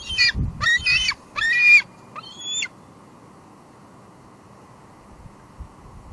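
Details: On a live nest camera at Two Harbors, 16 July 2022, a juvenile female bald eagle hoping for food as her father lands with fluff. Four harsh, high squealing notes come in quick succession, then quiet with faint background hiss.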